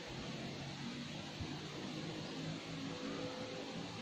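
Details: Steady broadband hiss and low rumble, like engine or room noise, with faint tonal hums and no animal voices heard.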